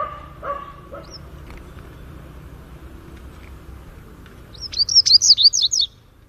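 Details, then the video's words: Coleiro laranjeira, the double-collared seedeater, delivering its Greek song: a lone thin whistle, then a loud rapid run of about eight high slurred notes near the end. Brief lower tones and faint knocks sound at the start. "COLEIRO LARANJEIRA CANTO GREGO"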